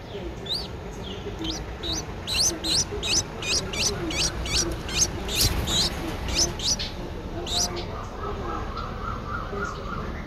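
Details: Streak-eared Bulbul nestling ten days old in Ubon Ratchathani, Thailand, April 2023: quick high sharp squeaks, some paired, in an uneven run over background hiss, followed by a faint lower warbling near the end.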